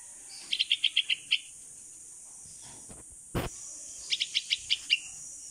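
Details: Hand-raised bulbul (Pulangga) fledgling, 16 days old, rescued after falling from its nest, calling its mother while practising flight outdoors: rapid bursts of five or six sharp high chirps, a pause, then another burst, over a steady high hiss and one soft thump.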